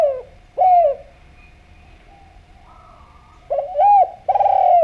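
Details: Spotted dove from Java, a lively caller used as a lure to make other doves call: a curved, throaty coo early on, then a pair of rich coos from 3.5 seconds, over faint background whistling.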